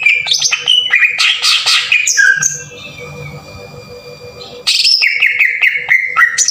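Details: Lure recording of a green leafbird in rough 'tembakan kasar' style, played to make other leafbirds sing: rapid, crowded scratchy notes, then a quiet hissy gap of about two seconds, before a loud return of sharp whistled notes stepping down.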